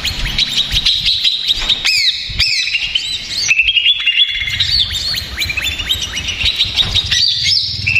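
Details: Stressed greater green leafbird used as a lure sings a noisy, restless stream of high whistles, quick downslurs and chattering notes, with faint low hum beneath.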